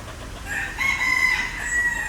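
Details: A green peafowl gives one loud, sustained tonal call on a Sony A7IV camera. The call is held level with strong harmonics and fades slightly at the end, over faint low-pitched background noise.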